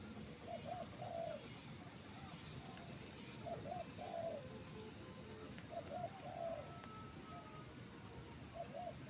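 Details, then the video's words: Trained bird calling eagerly from a jengkol tree: soft, hollow cooing phrases, a quick double note followed by a longer rolling one, repeated about every three seconds over steady background hiss and a low rumble. "burung ajaran.. gacor liat BL di pohon jengkolll"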